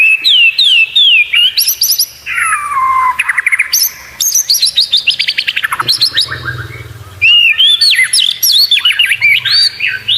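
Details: White-rumped shama delivering a long, varied song of odd sounds for training contest birds: falling whistles, a harsh buzzy stretch, rapid ticking trills and quick, looping high notes.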